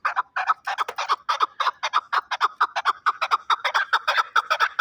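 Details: Fighting chukar partridge from Shahritus, Tajikistan, giving a fast series of harsh clucking chuk notes, about two per second, pulsing and uneven in spacing, with no other clear sounds.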